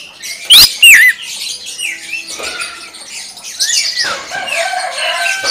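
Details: Greater green leafbird singing in the rapid-fire "tembakan" style; loud, very strong rising and falling whistled slurs open the phrase, followed by varied chattering notes, twisting whistles and scratchy sounds.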